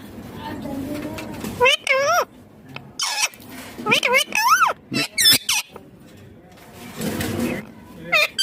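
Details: Pet green ringneck parrot talking: a run of loud, speech-like syllables with bending, stacked harmonic tones, some rising then falling, grouped in short bursts with brief gaps.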